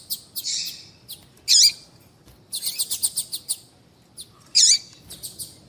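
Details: Papa-capim seedeater female giving calls meant to get males singing. Sharp, high chirps alternate with a quick train of short ticking notes, separated by brief pauses. Faint low background hum throughout.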